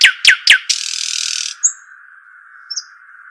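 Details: ['Arabian babbler: three quick high downward-sweeping notes, then a harsh hissing rasp lasting almost a second, followed by two faint thin whistles; a steady low electronic hum runs underneath.']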